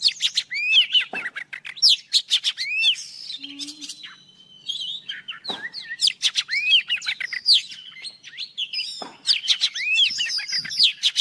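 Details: Old forest Oriental magpie-robin singing in the morning for a trapping lure recording. It gives repeated bursts of harsh chatter, each ending in clear rising whistles, with a softer, thinner stretch in the middle and a faint low hum.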